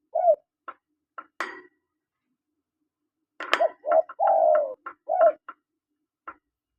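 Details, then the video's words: Male and female spotted doves: low cooing phrases, one long falling coo among short ones, mixed with sharp clicking and tapping noises scattered through the recording. "SUARA PANGGILAN TEKUKUR JANTAN DAN TEKUKUR BETINA"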